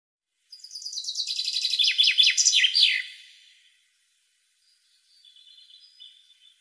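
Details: European goldfinch song meant to spur captive goldfinches: a bright, rapid tinkling warble with buzzy downward slurs for about two and a half seconds, followed after a pause by faint, thin twittering.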